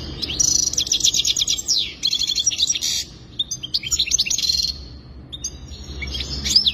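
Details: Goldfinch song in separate bursts: a fast trilled phrase, then tinkling chirps and a rattling run, followed by quieter scattered notes and a final sharp upslurred call.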